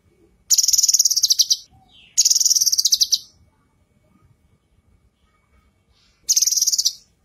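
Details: Bursts of high, buzzy rapid trills from a female leafbird, known locally as cucak kinoi, each about a second long, three phrases separated by silence; a master recording for teaching other birds.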